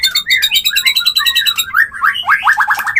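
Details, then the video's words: White-rumped shama mating call used for bringing a bird into breeding condition: fast pulsed chatter over rolling whistles, ending in a quick series of rising whistled slurs. "Murai Kawin Suara Jernih"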